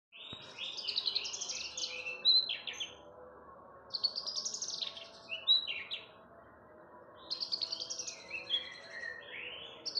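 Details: {'text': 'Javan bush lark song played to lure other birds into singing: high, buzzy and trilled phrases with sharp whistled flicks, in bursts every few seconds over steady low background noise.'}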